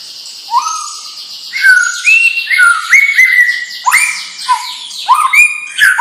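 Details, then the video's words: White-rumped shama, a young bird from a champion lineage, delivering loud rising whistles, sharp clicks and bright slurred notes in quick succession over a soft high warbling background. "Murai Batu Bibit Trah Juara"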